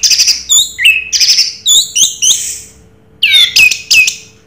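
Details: Orange-headed thrush (anis merah, 'raja teler') singing loud, clear phrases of sharp whistled notes, some dropping in pitch, in short bursts with a brief pause before a final group of strong notes.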